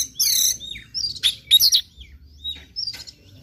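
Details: Oriental magpie-robin singing in the morning, a lure recording to spur another bird into persistent song: high whistled phrases, a long bright note and several rapid sliding chirps, then a short upslurred whistle and a buzzy burst.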